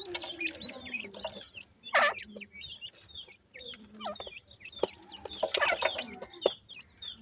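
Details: Young black francolins, Dakhni and Sindhi types, at play while feeding, giving clusters of thin descending chirps and brief squeaky notes, with sharp clicks and scuffling between bursts.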